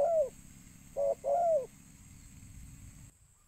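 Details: Spotted dove call used to lure birds: one long falling coo, then a short note and a second drawn coo, followed by quiet background hiss.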